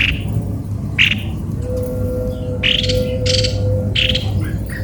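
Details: Harsh squawks from a cucak kopi-kopi, said to sound strange, spaced about a second apart, with a thin steady whistling tone and low hum behind.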